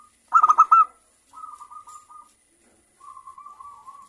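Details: Local zebra dove, a keen singer used as a lure to make other zebra doves sing; a brief loud burst of four stuttering notes followed by two stretches of soft, wavering cooing.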